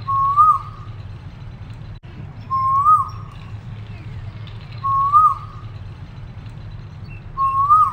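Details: Asian koel calling: four clear whistled notes, each sliding upward then dropping off sharply, repeated about every two and a half seconds over a steady low rumble.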